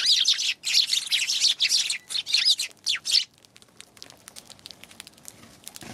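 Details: Eurasian tree sparrows on 11 January chirp busily in bright, overlapping bursts for about three seconds, then fall almost silent apart from faint distant twitters.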